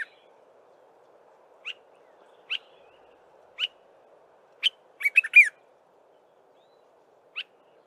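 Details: Dark-capped bulbul singing in the early morning: single sharp chirps about a second apart, then a quick bubbly run of four or five liquid notes, over a faint steady hum.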